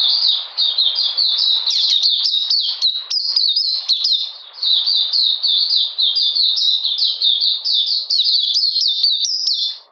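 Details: On a cold, rainy 13 June 2020, an Oriental magpie-robin sings a long, sustained series of quick, piercing downslurred whistles in an even rhythm. One short lull comes midway, and the run fades at the end.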